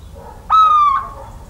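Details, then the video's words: Little owl in the countryside of central France, 17 March 2019: one mewing, slightly falling hoot lasting about half a second, clear and rich in overtones, over a quiet background. "CHEVÊCHE d'Athéna/Chouette chevêche/Chant et Cris !"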